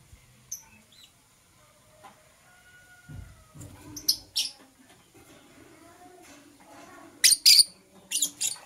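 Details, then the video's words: Green and blue personata lovebirds singing and chirping in the morning: a few short, shrill, high chirps come in bursts of two or three, with a quiet gap between bursts. "Lovebird Singing and Chirping Sounds - Green & Blue Personata"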